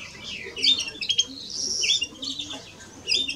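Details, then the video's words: Song of a male and female European greenfinch: rapid high chirps and trilled twitters, with brief whistled notes and a short lull before a final burst. "Male and Female of Greenfinch - Cantec de Florinte"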